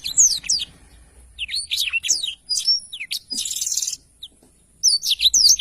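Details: Training recording of a black-throated canary: scattered sweeping whistles, a harsh buzzy burst, a pause, then more high slurred notes.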